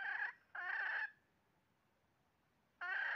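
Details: Wild red junglefowl heard during trapping on 20 January 2023, giving two short harsh crow-like bursts close together, then a pause of about two seconds before another loud burst starts.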